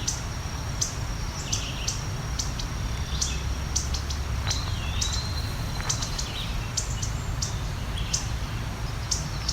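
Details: Indigo bunting (Passerina cyanea), probably a female, in late August during fall migration, giving sharp, dry agitated chip calls (an unhappy, feisty bird) about one or two per second, over steady insect drone and low rumble.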